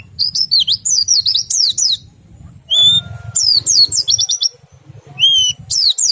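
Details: Oriental white-eye singing in ngerol-nembak style to prompt other white-eyes to join in: fast bursts of high, sharp, zigzagging chirps broken by pauses, with a few clean whistled notes and a steady low background hum.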